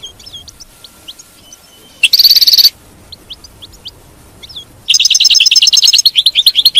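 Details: European goldfinch singing, in a recording aimed at keeping a captive goldfinch in song: scattered soft chirps, then a brief buzzy trill, more sparse notes, and a longer buzzing, tinkling twitter to the end.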